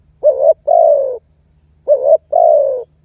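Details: Lure spotted dove calling to draw in and challenge a rival: two deep coo phrases, each a quick rising note then a longer, gently falling hollow coo, separated by a short pause in a quiet setting.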